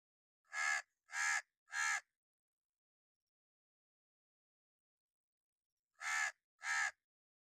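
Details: Angry crow cawing in warning: a quick run of three harsh, loud caws, a long pause of about four seconds, then two more rasping caws, with nothing else audible.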